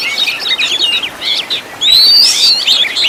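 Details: Oriental magpie-robin training song rich in fill-in and burst phrases: quick twittering notes, then from about two seconds a louder, bright rising whistle and sharp, high chattery flourishes.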